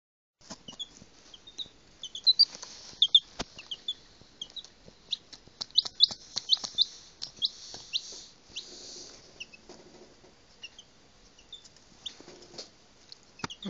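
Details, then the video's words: Five-day-old pet Legbar chick, the only one of its clutch to hatch, calling in distress when its owner leaves its sight: high, thin, repeated peeping cheeps, irregular and insistent, with clicks and handling noises throughout. "Pet Chick Misses 'Daddy'"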